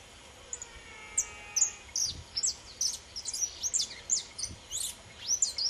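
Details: Pardinho, the pelzelni saffron finch, singing free with a steady stream of sharp, high chirps delivered about two or three per second in loose clusters; a faint lower whistle sounds early on.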